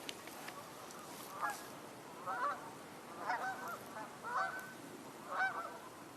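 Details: Canada geese vocalizing in winter, 20 January 2024, while a gull flies overhead; harmonic honks near one to two kilohertz come in irregular bursts about once a second, over steady background hiss.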